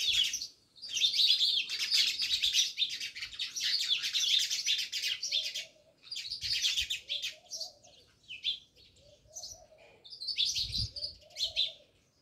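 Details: A flock of house sparrows near a village house in Jamnagar keep up busy, overlapping high chirps, loud for the first six seconds, then broken into shorter bursts with soft lower cooing beneath.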